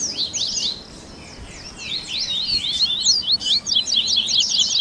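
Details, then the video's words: Baderninha song of a Double-collared seedeater meant to warm up a caged singer: a brief high flourish, a near-quiet gap, then accelerating runs of sharp, steeply falling notes. "Baderninha de Coleiro Top FAÇA SEU COLEIRO CANTAR em 30 Minutos - Esquenta de Coleirinho!"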